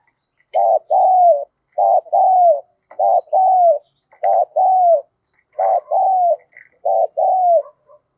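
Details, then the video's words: Decoy spotted dove cooing to attract wild doves: six two-part phrases, short coo then longer falling coo, about every 1.2 seconds, with faint chirps and clicks between them. "Chim Cu Mồi/ cu gay kich boi nhanh noi gù hiệu quả, kích rất nhạy, bổi nghe là gáy"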